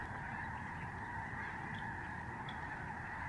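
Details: Short burst of a massive Lesser Snow Goose flock overhead at the George C. Reifel Migratory Bird Sanctuary, Canada, November 2011: constant layered honking from many birds at once.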